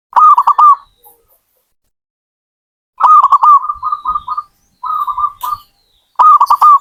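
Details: Zebra dove song: rapid bursts of soft rolling coos, each phrase a quick series of trilled notes followed by shorter purring notes, phrases separated by pauses of a second or more; quiet background.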